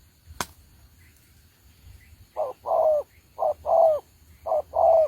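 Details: Spotted dove used as a trapping decoy, a Đồng Ngô bird, calling after a sharp click: three paired phrases, each a brief note then a longer mellow coo, given about once a second.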